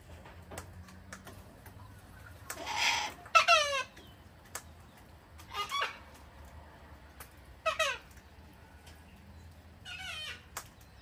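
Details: Hand-fed wild cockatoos, a whole flock on a home deck in Australia in cold, rainy winter; repeated harsh grating screeches sweeping downward, about five calls in eleven seconds, some overlapping.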